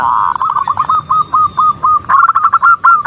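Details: Zebra dove female calling a male, opening with a loud blurred coo, followed by a run of soft, evenly spaced hooked notes and a brighter staccato burst at the end.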